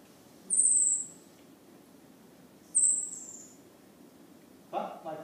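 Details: Superb fairy-wren contact calls from two different birds, used to keep in touch while foraging; two very high, thin, slightly descending whistles about two seconds apart, followed by a brief lower murmur at the end.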